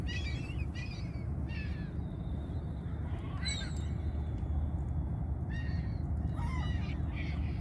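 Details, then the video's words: Hungry seagulls giving scattered short, harsh, downslurred calls at irregular intervals, a few louder cries standing out, with a faint thin whistle in between and constant low background rumble. "The sounds of the seagulls hungry"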